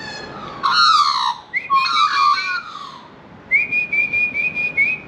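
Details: Juvenile Australian magpie in Australia begging for food while refusing to take it from a hand: two long, harsh, nasal squawks rich in overtones, each drooping slightly in pitch, then a thin steady pulsed whistle.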